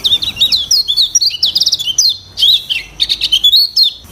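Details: Varied training song of a lemon-bellied white-eye mixing borrowed sounds with its own: quick bright chirps and short whistled slurs tumbling in fast clusters, briefly pausing between bursts.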